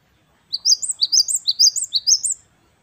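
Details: Song of a great tit (gelatik batu wingko) in the wucit kristal style: eleven rapid, shrill, high-pitched notes, each swooping up and down, in a tight two-second burst against near silence.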